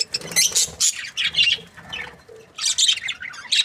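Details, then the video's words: Short burst of budgerigar chirping from a happy breeding pair: squeaky, warbled high notes in uneven clusters with brief gaps between phrases. "Happy budgie chirping sounds"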